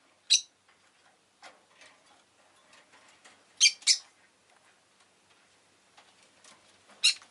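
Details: Rosy-faced lovebird calling with isolated piercing chirps: one near the start, a close pair in the middle and another at the end, over soft rustling and scratching sounds.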